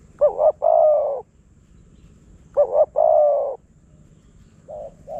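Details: Spotted dove, wild, lured by a decoy in Phrae province, Thailand. Two identical loud phrases about two and a half seconds apart, each a wobbly two-note start and then a sustained, falling coo. Softer cooing begins at the end.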